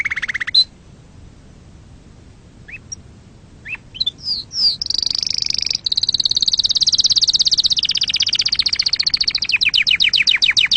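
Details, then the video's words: Canary singing, used to stir up other birds and train young chicks: a few scattered rising chirps, then a loud sustained rolling trill followed by fast repeated syllables. "صوت تغريد عصفور الكناري لتهييج طيورك وتعليم الفراخ"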